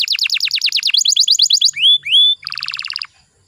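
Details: Canary lure song meant to excite young canaries into singing: a quick run of falling notes, two long rising clear whistles, then a lower buzzy rolling trill before silence.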